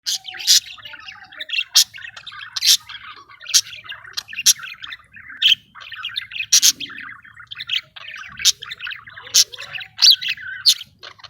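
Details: Caged budgerigars in breeding condition during mating and food regurgitation, giving continuous warbling chatter with sharp high chirps every second or so over a soft background rustle.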